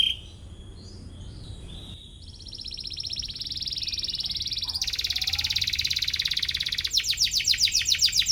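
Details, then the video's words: Atlantic canary singing as if hunting for a rival, used to train young canaries; soft notes lead into long sustained buzzy trills that grow louder, ending in a coarse rapid rattle. "KENARI GACOR CUIT CUIT MENCARI LAWAN BIKIN EMOSI"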